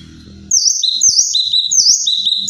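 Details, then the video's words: Kinoi giving loud, forceful calls: clear whistled phrases that alternate a high dipping note with a lower sustained whistle, three phrases in quick succession after a brief quiet start. "Suara cadas burung kinoi"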